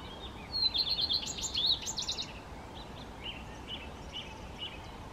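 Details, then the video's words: Common redstart singing: one brief phrase opening on a high clear note, then a rapid jumble of varied, scratchy, tinkling notes over about a second and a half. Softer short high notes follow against steady low background hiss. "Rehek zahradní zpěv, Common Redstart, Gartenrotschwanz"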